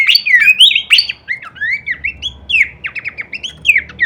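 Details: Masteran recording of Horsfield's babbler song with full kleperan variation: loud looping whistles at the start, then a steady chain of short downslurred and upslurred whistled notes repeated about three per second.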